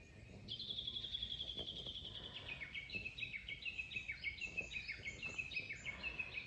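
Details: Japanese bush warbler singing in early morning at a campsite at Shiawase no Mura, Kobe, Japan: one long, steady whistled note, then a fast run of short repeated falling notes, about three per second, over faint background noise.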